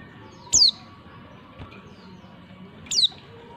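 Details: Calling female white-eye, heard to stir males into song: two thin high downslurred notes about two and a half seconds apart over a quiet low background.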